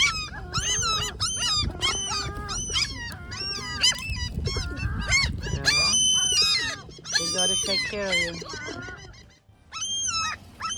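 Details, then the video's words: Several Great Black-backed Gulls give loud, overlapping, whining "complaining" calls that rise and fall in quick bursts, while a sparrow stays silent nearby; a person's voice and a low background rumble are heard beneath them. "SVARTBAK SEAGULLS FUNNY COMLAINING SOUNDS"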